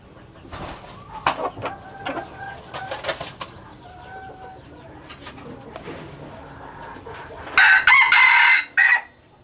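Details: A male Laos-strain red junglefowl breeder, used to breed hybrid red junglefowl, gives soft, scattered clucks, then one loud, harsh, strained crow lasting just over a second near the end.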